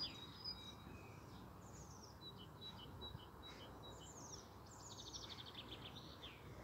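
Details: European robin recorded on Easter Monday, 13 April 2020: thin, high, varied song phrases mixing clear whistles, fast tinkling trills and descending slurs, separated by short pauses, over faint background hiss.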